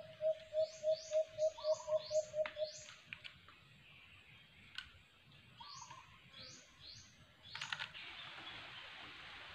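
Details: White-eared brown dove (alimokon) near a cage trap. Nine quick, hollow coos roll out in under three seconds, then give way to sharp chirps from other birds, clicks and rising background hiss.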